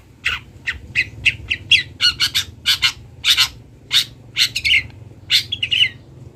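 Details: Long-tailed shrike of local Kendal stock, kept for training birds to learn its song, delivers a steady series of rasping, buzzy chirps, roughly three per second, with a few twittering doubled notes.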